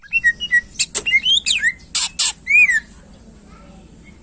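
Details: Greater green leafbird in full contest-style song meant to rouse competing birds: a fast run of clear whistles and slurred sweeps, noisy harsh bursts mid-phrase, fading into near silence in the last second and a half.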